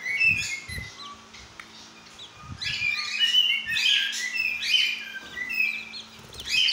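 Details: A talking pet lorikeet chatters in quick, high, scratchy chirps and shrill squeaks, with bursts every second or so and a few soft low thumps.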